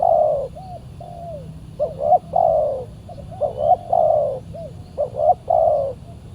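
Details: Spotted dove (tekukur) lured by decoy on a Saturday, a fierce wild bird responding territorially; repeated low cooing phrases, quick double notes followed by a longer drawn-out coo, with brief soft hoots between, over faint rural background noise.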